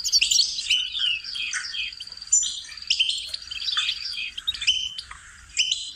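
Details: Training song of a goldfinch: quick chattering twitters and tinkling notes interspersed with a sustained thin buzzy trill, varied sweet whistles, then renewed bursts of rapid warbling toward the end.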